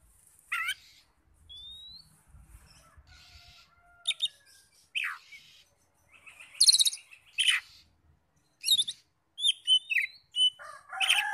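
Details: Oriental magpie-robin song intended to goad other magpie-robins into singing, scattered bursts of harsh chirps, steep downslurred notes, thin rising whistles and rapid high twitters, growing busier and louder in the second half.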